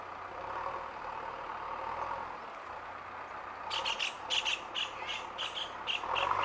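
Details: Purple swamphens, either fighting or courting (unclear which), give a quick series of about eight harsh, shrieking notes, roughly three per second, after a few seconds of steady traffic hum.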